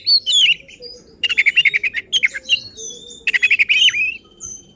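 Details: Agitated oriental magpie-robin (kacer) song used to provoke rivals: a harsh opening burst, then rapid runs of repeated chattering notes and a long thin whistle.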